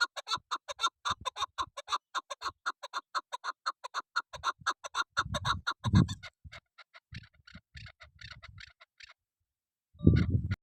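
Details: Female chukar partridge calling: about six seconds of quick, repeated clucking chuk notes that then thin out and fade, interrupted by low thumps and rumbling noise and a loud bump near the end.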